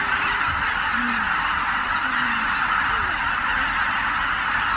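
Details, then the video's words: Roost departure of over 83,000 Greater white-fronted geese at dawn, Miyajima-numa, 23 April 2017, in poor weather: an even, massed chorus of honking, with a few lower drawn-out sounds faintly beneath it. "マガン ねぐら立ち"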